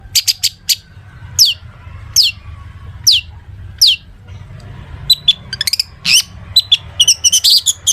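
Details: Long-tailed shrike, kept singer with mimicked phrases, used to prompt other shrikes to answer: sharp rising squeaks spaced about a second apart, then a busy burst of clicks and chirps.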